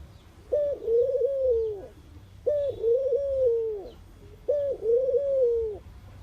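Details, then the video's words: Low, mellow cooing from a mourning dove: three phrases about two seconds apart, each a brief opening note sliding into a drawn-out, slightly quavering hoot that fades at the end. "Mourning dove call | coo"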